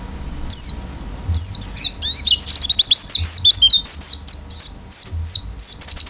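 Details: Oriental white-eye in gacor isian song with open beak: a fast, rich stream of high, twisting whistled notes. It starts with a few separate slurs, then becomes a dense, rapid chatter of rising and falling phrases.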